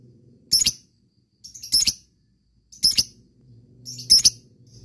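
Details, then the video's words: Lovebird calling, from a recording used as a lure: four separate short, harsh, high-pitched squeaky bursts, roughly one every second or so, with faint low background noise between them. "Lovebird banyak yang nyaut bunyi setelah mendengarkan suara pancingan lb memanggil ngetik ngekek"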